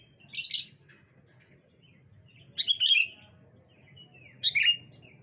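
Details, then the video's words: Sooty-headed bulbuls calling back and forth on a bright morning; three short, bright chirpy bursts about two seconds apart, with a faint low hum underneath. "Suara Burung Kutilang Saut Sautan"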